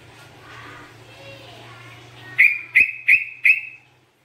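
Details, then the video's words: Yellow-vented bulbul, a lively singer used to draw other birds and for therapy: after a quiet, murmuring start, four short, sharp, slightly rising chirps ring out about every third of a second, then fade. "TRUCUKAN GACOR COCOK BUAT PANCINGAN"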